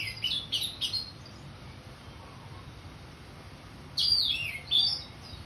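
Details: Orange-headed thrush in ngeplong song: three short, sharp whistled phrases at the start, a long pause, then two bright descending slurred phrases, with faint background hum.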